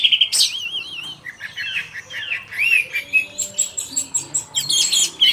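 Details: Orange-headed thrush singing in the afternoon: a wavering, warbled whistle, then a series of short, varied phrases repeated at a steady pace, roughly twice a second.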